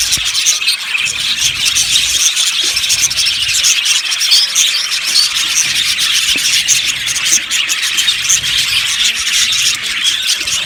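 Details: Aviary colony of yellow budgerigars, many birds chirping together in a fast, even, high-pitched babble with scattered sharper squeaks and no pauses.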